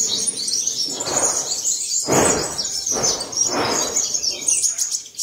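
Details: A captive pure "seven-colour" sunbird, kept at home and recorded on 22 July 2022 while singing, dancing and displaying, gives a thin, high, rapid twittering song broken by soft rushing bursts; sunbird.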